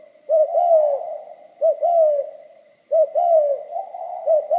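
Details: Spotted dove cooing in the giọng pha kim song style, three clear phrases of a quick two-part coo followed by a drawn-out descending note, spaced about one and a half seconds apart, with no other sounds.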